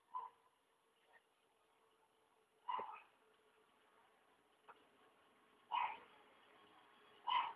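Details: Hyacinth macaw, living free on a country property at Ilha Solteira by the Paraná River, Brazil, gives hoarse squawks spaced irregularly, two close together near the end, over a steady low background hum.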